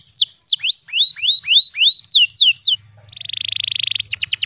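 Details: Song of a canary meant as tutoring material for young canaries, with special cengkok phrasing: a series of clear falling whistled slurs, a brief pause, then a buzzy pulsed roll and rapid high chips.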